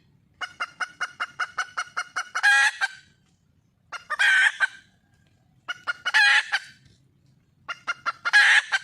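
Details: Wild junglefowl hen calling for a male: runs of quick, evenly spaced clucks speeding into a loud, harsh, raspy squawk, the pattern repeated four times over about nine seconds in quiet surroundings.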